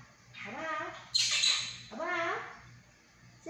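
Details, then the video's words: Household monk parakeet talking, copying phrases like mom loves and sorry; two drawn-out voice-like rising and falling tones bracket a sudden harsh squawk, with a steady low hum behind. "說話合輯〈和尚鸚鵡第3集〉。Talking Compilation〈 Monk parakeet Episode 3〉"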